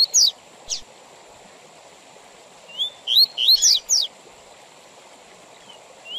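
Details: Double-collared seedeater singing the Tui Tui Zel Zel style with pauses, used to teach young males and for tournaments: two sharp high notes, a long gap, then a dense burst of rising whistles and steep slurs, then a faint closing whistle.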